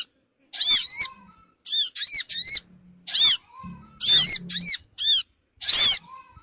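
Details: Sogon bird call used as a lure to gather small birds fast: bright, squeaky, arched notes, often paired, separated by short pauses, with a quiet low hum underneath.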